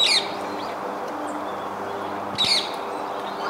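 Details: Rose-ringed parakeets in a flock feeding on tree fruit at Izumi no Mori, 30 January 2023, giving 'kyuru' calls: two short, harsh, high-pitched squawks about two and a half seconds apart over steady low background hum.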